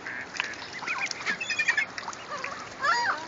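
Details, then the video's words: Mother duck with her ducklings in Strathacona park; a run of thin, bending peeps that rise and fall, overlapping in quick succession, with steady background hiss. "Mother duck and ducklings"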